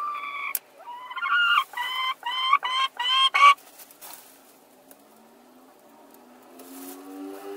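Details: Two hens quarrel over laying an egg in one spot at the same moment, giving a rapid series of harmonic, squawking notes rising in pitch and loudness, then fading to a faint low drone.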